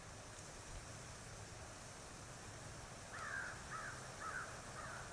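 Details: Bald eagle at a nest in Kisatchie National Forest after its first egg, 09/12/2023: after a quiet stretch, four thin high piping notes follow one another, set against steady broadband background hiss.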